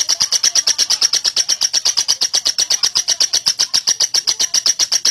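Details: Lovebird delivering a long ngekek trill for training other birds: a dense, machine-gun stream of shrill chirps, about eight per second, steady in pitch and loudness.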